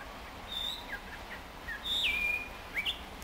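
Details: Hwamei practising its song at Chofu, Japan, on 30 June 2015: a few clear whistled notes around high pitch, one long slurred whistle dropping then held flat, separated by pauses, over steady low background hum.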